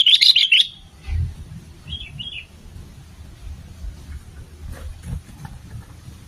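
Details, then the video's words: Sooty-headed bulbul, lively singer recorded for luring others: a loud, tumbling burst of liquid warbled notes opens, followed by two faint short phrases, then only a low background rumble remains. "SUARA BURUNG KUTILANG GACOR"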